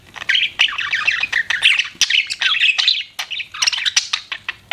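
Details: Budgerigars chirping, a dense run of quick twittering notes and short harsh squawks packed closely together, bright and high, with barely a pause over nearly five seconds.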